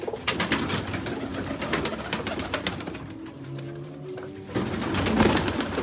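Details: Sialkoti domestic pigeons, a rare Sialkot breed, give low, soft cooing rumbles under frequent clattering and flapping noises in a small indoor space.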